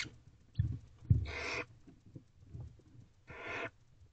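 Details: Barn owl nest box at 1:12 am on 19 April 2023 as the male delivers a rabbit: two harsh, breathy hissing bursts about two seconds apart, with low thumps and shuffling in the box.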